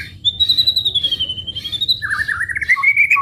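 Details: White-rumped shama (murai batu) song for training songbirds: one long thin high whistle that drifts slowly downward, followed by a lower buzzy, rattling trill that rises gradually.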